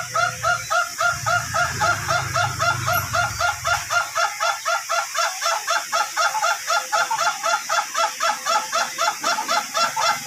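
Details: Ayam Ketawa chicken of the duration type, trained for long crowing: a fast, even series of harsh, laughing-like syllables, about four per second, running without a break. A low rumble is heard during the first four seconds.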